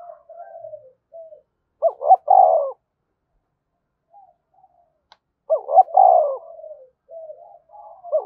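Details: Spotted dove thúc bổi cooing with two loud phrases about three and a half seconds apart, each a quick wavering note and a deep falling coo, while softer distant coos fill the gaps.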